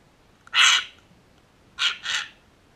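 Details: A sulphur-crested cockatoo in a backyard, among several cockatoos, gives three loud, harsh screeches: one long raucous squawk, then two shorter grating ones in quick succession.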